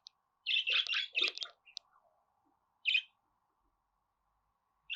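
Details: Budgerigar with a rapid scratchy run of chirps, then a pause and single sharp chirps, over a faint background hum.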